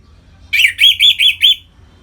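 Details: Orange-headed thrush (Geokichla citrina), likely a kept bird, sings a quick run of four loud, high, slurred notes over about a second, with a faint low hum underneath.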